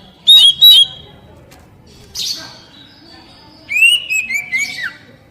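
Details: Captive Oriental magpie-robin (kacer, poci type) song, played to stimulate untrained birds to sing. Two sharp whistled notes are followed by a raspy burst, then a loud, slightly descending phrase of linked whistles.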